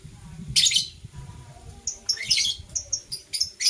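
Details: Morning chirping from blue opaline and parblue euwing opaline lovebirds: a harsh, high burst, then a quick run of clipped, shrill notes repeating several times a second, with low rumbling noise underneath.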